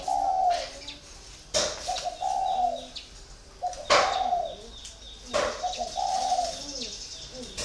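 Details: Low hollow coos from a spotted dove caged four years, three phrases each opening with a short note before a longer steady coo, punctuated by sharp clicking knocks between phrases.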